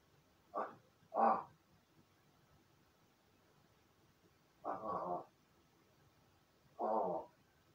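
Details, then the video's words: Captive crow in an indoor crow room, practising call imitation after solo play; four rough, nasal caw-like notes in two pairs, the later ones longer and grating, with a faint room hum. "一人遊びの後 鳴き声と喋る練習"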